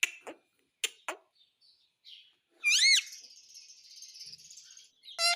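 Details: Indian ringneck parakeet kept as a pet, a few faint clicks and soft notes, then one loud arched squawk rising and falling, followed by a thin buzzy hiss and a final sharp call.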